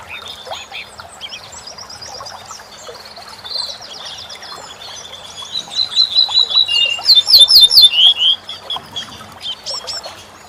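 A corn bunting gives a high, jangling song that speeds into a rapid, glassy rattle of repeated notes, with scattered thin chirps from other birds before it.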